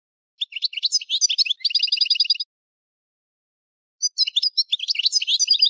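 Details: European goldfinch singing rapid, varied twittering phrases with a stretch of evenly repeated notes, pausing briefly before another lively burst; quiet surroundings.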